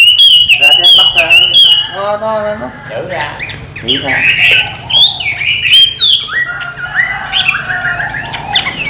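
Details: Tame Chinese hwamei that flies out of its cage and back in, singing varied whistled phrases with rapid trills and sliding notes, mixed with mimicry-like lower notes and a faint background hum.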